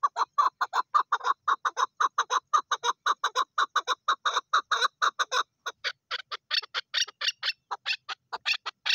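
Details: Rapid clucking series from a female Chukar partridge, the chuk notes tumbling quickly at first, then turning harsher and higher toward the end, forming a continuous nine-second rally.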